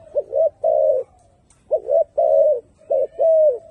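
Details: Turtle dove calling in loose phrases of a quick double note and a longer mellow coo, with short pauses between phrases.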